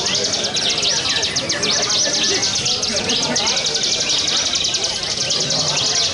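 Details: Bar-winged prinia singing nonstop 'ngebren' ('walang sangit' style) in a songbird contest: an unbroken, very fast string of high, sharp ticking notes forming a buzzy trill, with constant background noise underneath.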